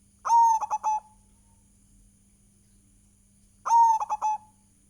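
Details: Repeated zebra dove song played as a lure, a drawn-out coo then three short clipped coos, the phrase given twice with a silent gap of over two seconds, steady electrical hum beneath.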